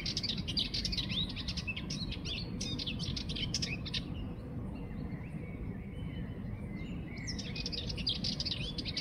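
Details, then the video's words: Sardinian warbler pouring out a long, rattling chatter of rapid dry notes for about four seconds, pausing, then resuming with another hurried scratchy phrase, over steady low-frequency noise. "סבכי שחור ראש מצייץ Curruca melanocephala is tweeting"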